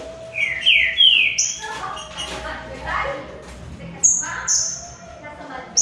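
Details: Green-winged saltators, three competing singers, give a quick run of falling whistled notes. Murmured voices sit beneath, and high thin whistles follow later.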